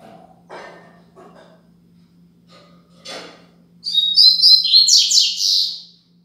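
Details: Double-collared seedeater giving its Tui Tui Zel Zel Top song of the Braddock style, meant to tutor young birds: a few soft low knocks and rustles, then a two-second burst of rapid, high, twittering and whistled phrases over a faint hum.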